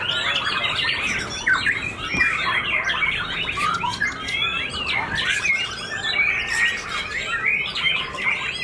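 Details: Caged white-rumped shama with white tail feathers, a competition fighter bird singing just after finishing its moult: dense, varied, continuous torrent of chattering, whistled and harsh notes without pause.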